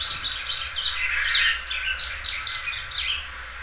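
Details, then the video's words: Loud-singing Belgian canary, a well-looked-after bird, gives a dense run of sharp high chirps and short sweeping notes repeated in quick succession. "canário belga dobrando o canto."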